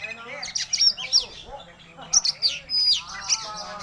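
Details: Oriental magpie-robin singing again after recovering from illness: loud bursts of sharp, sweeping whistles and rapid chattering phrases with brief pauses between them.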